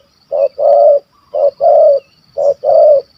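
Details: Malaysian wild spotted dove with a big voice in the 'kuk 1 2' style, sought by hunters. Three evenly spaced phrases, each a short hoot and then a sustained, mellow coo, about one phrase per second.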